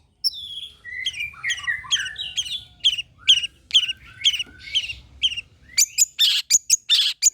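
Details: Long-tailed shrike singing as a lure for other shrikes: descending whistled and slurred notes repeated roughly twice a second, ending in sharp high clicks and harsh rasping bursts.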